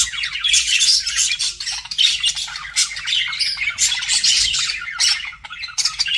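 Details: Pet budgerigars flirting, a dense nonstop stream of bright, scratchy chirps, squawks and warbled chatter overlapping from several birds, with no pauses across the whole stretch.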